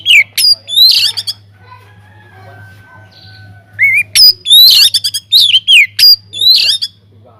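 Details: Energetic song of a captive Oriental magpie-robin in a flight aviary, played as a lure for other songbirds: sharp whistles and chatters, a long steady faint whistle, then a dense run of rising slurs and harsh notes.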